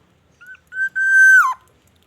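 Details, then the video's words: Black-naped oriole, a vigorous singer whose repertoire includes white-rumped shama imitations: two short rising notes, then a long steady fluty whistle that slides sharply downward at its end, rich in overtones. "SUARA BURUNG KEPODANG EMAS GACOR BONGKAR ISIAN MURAI BATU"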